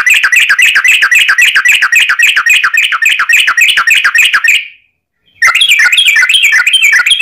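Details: A yellow-vented bulbul delivers a long, rolling fighting song, used to lure other bulbuls into answering: a fast, continuous stream of bubbly, warbling notes, one brief pause, then the same rapid chatter resumes.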